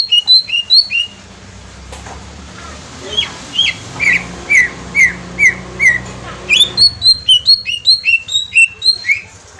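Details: Green leafbird from Kalimantan, singing a lure song to draw a response. Paired high whistles give way to a row of evenly spaced, lower, falling whistled notes, then fast high chirps, over a steady hiss and low background rumble.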